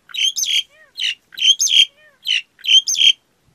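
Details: Black-collared starling repeating a squawky two-part phrase about every second, each a grating note followed by a higher screechy whistle, with faint soft notes between phrases.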